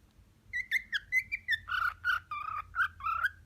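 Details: Courtship singing by a six-month-old male pet cockatiel to an unimpressed female: a few bright rising whistles followed by lower, buzzy warbled notes repeated in quick succession.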